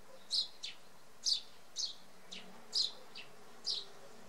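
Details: Eurasian tree sparrow on a hawthorn in Samara Oblast, November 2018, giving short bright chirps, singly or in quick pairs, about seven in four seconds at an uneven pace, over a faint low hum.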